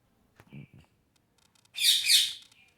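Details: Parrot playing, recorded August 26, 2023: a few soft low clicks and a faint whistle, then one loud, drawn-out harsh squawk lasting nearly a second.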